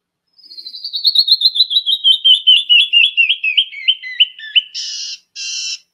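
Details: A Canyon Wren, a bird of rock faces and canyons where its song echoes, sings about twenty clear, sweet whistled notes cascading steadily down the scale over four seconds, then closes with two harsh, buzzy notes.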